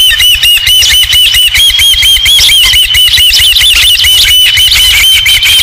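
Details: An osprey at the Dunrovin Ranch nest, 20 July 2016, around the return with the first fish: steady run of sharp whistled cheeps, roughly two each second, evenly pitched with ringing overtones, against constant low-frequency rumble.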